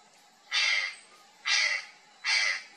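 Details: Purplish jay startled by something hidden in the bush, three long, loud, grating calls about a second apart.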